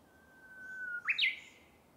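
A Japanese bush warbler sings its classic phrase: a long, steady whistled note, then a sudden rising flourish that ends in a bright, sharp flick.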